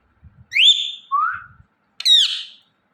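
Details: Indian ringneck parrot chirping naturally, three clear whistles: a rising high note, a lower upslurred note, then a harmonic-rich falling chirp, with faint low rustles between them.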